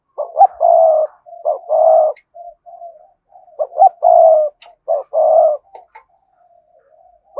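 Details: Spotted dove, cườm sa type, repeatedly cooing: short stuttered notes leading into long mellow hooting coos, phrases recurring every few seconds with soft quiet notes between.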